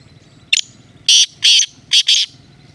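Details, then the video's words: Black francolin giving a call of harsh grating notes: one short note, then four loud rasping bursts in two pairs over about a second, against a low background murmur. "Kale teetar Ki Masti black teetar ki awaz desi teetar Ki awaz"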